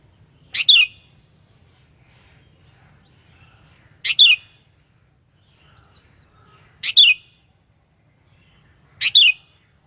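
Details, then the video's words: Sooty-headed bulbul song played to excite rival birds: four short two-note phrases spaced about two to three seconds apart, each sharp then whistled, over quiet low noise. "Burung Kutilang Pikat Gacor Fighter, Paling Jago Mendongkrak EMOSI Kutilang LAWAN"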